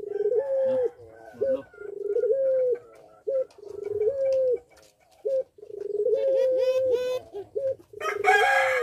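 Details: Sustained, slightly rising coos from an actively singing caged puter pelung dove in breeding condition. They repeat about every two seconds and alternate with clipped short notes. Faint chirps of other small birds come in near the end.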